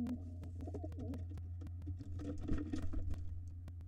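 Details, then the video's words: Wild pigeons at a nest holding two nestlings, a gray intruder fighting the white father who defends it: low soft coos, sharp taps and flapping clicks through a steady low indoor hum. "Pigeon (gray) tries to take nest over, but Dad (white) to the rescue"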